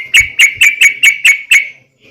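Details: Sooty-headed bulbul in a long rapid 'ropel' series meant to draw other bulbuls into singing: seven short, bright, clipped notes on one pitch at a steady pace, then quiet.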